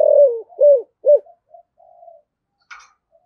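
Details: Deep-voiced spotted dove cooing, played to lure wild doves: a long falling coo, two arched coos, then fading softer trailing notes and a brief higher rustle near the end.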